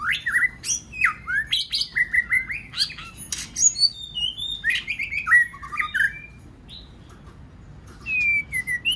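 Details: Varied song of a White-rumped shama used to prompt other birds to sing: rising and falling whistled notes, harsh chirps and quick slurred phrases, followed by a short pause and a final whistled pair.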